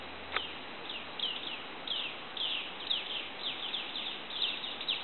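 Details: Golden-headed manakin at Asa Wright Nature Center, January 2011: a busy series of short, high, downslurred chirps, roughly two a second and sometimes overlapping, with one sharp click-like note near the start, over steady background hiss.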